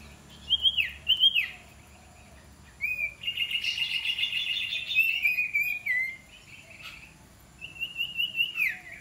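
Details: Iora undergoing decoy-bird training gives a pair of loud downslurred whistles, then a long buzzy rattling trill, and later a steady run of rapid repeated chirps ending in a drop.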